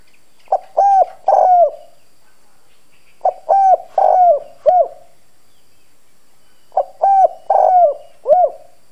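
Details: Spotted dove decoy with a hoarse bronze voice, cooing steadily to draw wild doves: three similar phrases roughly every three seconds, each a soft pickup note, two drawn coos and a final downward-bending note.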